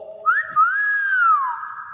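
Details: A pet Nias hill myna (Gracula robusta) gives a loud, pure whistle that jumps up, wavers, then slides smoothly down over about a second, following a lower hum-like tone.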